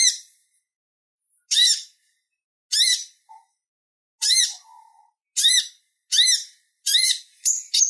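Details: Purple-throated sunbird's clear chatter, used to train other songbirds: spaced high squeaky chirps with faint soft whistles in between, quickening toward the end into closer, rapid notes.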